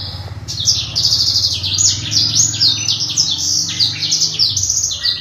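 Black-throated canary singing a continuous, rapid, high twittering song of varied trills and chirps, with a steady low hum underneath.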